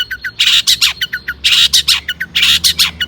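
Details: Loud long-tailed shrike singing, meant to lure other shrikes into singing: three grating, squawky bursts, each followed by short downward chirps, repeated about once a second.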